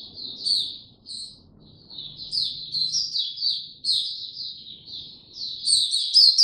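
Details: Oriental white-eye opening its song on 2 May 2022: sparse high chirps build into a flowing, high warble that grows louder and denser toward the close, above low room noise.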